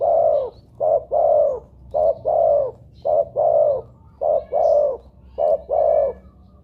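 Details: Spotted dove (tekukur) cooing in a lure recording to make doves call. Loud, clean pairs of a short coo followed by a longer rounded coo, repeated steadily about once a second, faint hum underneath.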